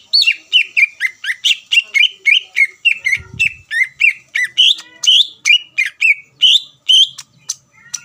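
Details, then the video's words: Greater green leafbird in energetic song meant to provoke rivals into replying: rapid, repeated chirping notes, roughly two to three per second, with some squeaky, higher phrases later and a brief low thump midway. "PANCINGAN CUCAK IJO GACOR MEMANCING EMOSI LAWAN LANGSUNG NYAUT"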